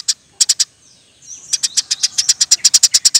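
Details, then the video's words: Eurasian tree sparrow in 'gacor' song for tutoring and luring birds: a few scattered shrill chirps, a thin downward glide, then an even run of about sixteen rapid chirps. "Burung gereja gacor nembak rapet full alasan"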